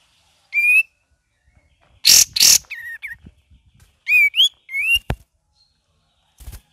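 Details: Cream-vented bulbul singing in the gacor variasi and ngeriwik style: short clear whistled notes, some rising, some falling, in scattered phrases, with two loud broad rustling bursts in the middle and a sharp click near the end.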